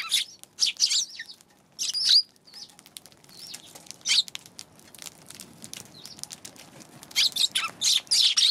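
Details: Eurasian tree sparrows recorded on January 11. Clusters of loud, high chirps come in bursts at the start, in the middle and toward the end, and light ticking fills the pauses between them.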